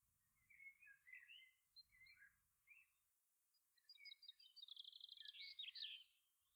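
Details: Eurasian curlew in Ireland: soft slurred whistles, then a quickening bubbling trill of high notes building into a loud warbling climax, with a low rumble in the background.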